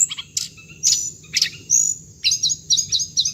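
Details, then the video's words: Hồng hạnh bird sound for speaker-lure trapping; a few spaced sharp chirps and a long thin whistle, then quick repeated twittering notes at the end, with a steady shrill background tone. "tiếng chim hồng hạnh âm thanh để bẫy loa"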